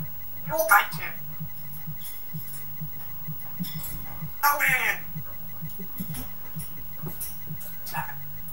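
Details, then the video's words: Geordie pet parrot talking indoors and calling the dog names: two brief, harsh, speech-like phrases several seconds apart over a steady low hum and faint background noise. "geordie parrot"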